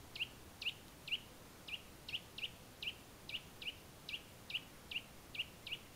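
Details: Eurasian nuthatch in the Valle del Tiétar, near the Sierra de Gredos, giving a steady series of about thirteen short, sharp, high notes, roughly two per second, each a quick downward slur, with faint background hiss.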